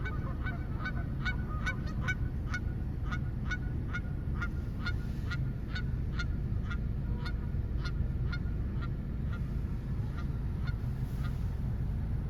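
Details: Several geese honking in quick repeated bursts, some honks overlapping, the calls thinning toward the end, all over a heavy steady low-pitched roar of noise.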